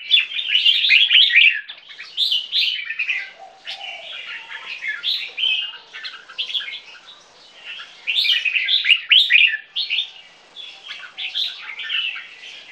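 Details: Two-year-old caged hybrid of Asian black bulbul and red-whiskered bulbul from a Thai champion song-competition line, delivering a long, lively run of fast chattering, warbled phrases in loud bursts with brief softer gaps.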